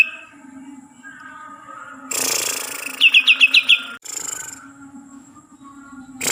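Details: Cucak ijo (green leafbird) from Kalimantan gives a harsh rasp, a brief run of six quick descending chirps, then further rasping bursts over a low hum.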